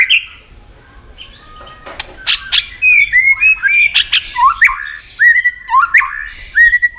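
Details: White-rumped shama in competitive singing, the bird flicking its tail: loud snapping clicks, then a varied string of rich whistles, each sweeping upward, delivered in quick succession.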